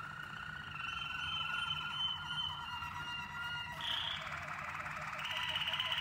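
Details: Waterslager canary song in a training session mixing several birds: sustained level whistles, then a sudden shift near the four-second mark to a higher, rougher rolling tone, with overlapping voices.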